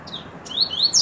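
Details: Coleiro, a double-collared seedeater, gives a short song fragment of high, clear, upslurred whistles rising in loudness toward the end, background quiet.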